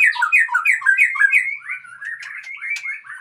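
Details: White-rumped shama of the Aceh type, kept as superior breeding stock: a quick run of loud, varied whistled phrases sliding up and down, later softening into thinner, scratchier notes with a few sharp high ticks.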